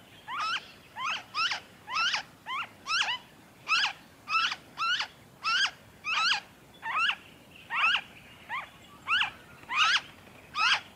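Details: Noisy friarbird recorded in Victoria, Australia, February 2023, giving repeated coarse, nasal upslurred notes in an uneven chain, sometimes paired, with a faint high whistle behind.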